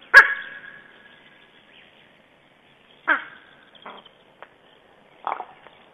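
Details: Black stork at a nest camera, calling its mate while arranging twigs and moss around the nest: a sharp onset drawn into a fading tonal note, then a few shorter rasping bursts a second or two apart, in quiet surroundings.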